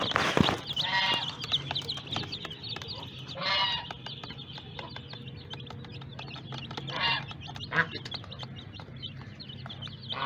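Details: Small colourful baby chicks giving a continuous wash of thin, high cheeps, broken by a sharp knock at the start and several brief, broad rustling or scuffling bursts, over a low background hum.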